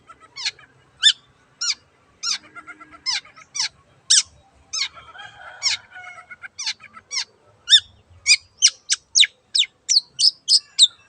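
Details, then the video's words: Vigorously singing long-tailed shrike, played to prompt mute shrikes to sing: clipped high notes spaced about half a second apart, a soft scratchy warble midway, then quicker sharp notes near the end. "BURUNG CENDET GACOR YANG BISU JADI BUKA SUARA DAN IKUT BUNYI"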